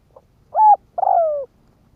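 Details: Spotted dove decoy calling to attract wild doves: a short soft note, a steady mellow coo, then a long coo that slowly drops in pitch.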